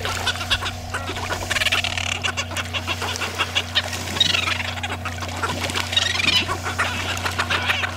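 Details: A noisy flock of Cape petrels feeding on krill from the sea surface, aggressive among themselves and spitting stomach oil at competitors, give harsh, rapid, continuously overlapping cackling chatters over a steady low engine hum.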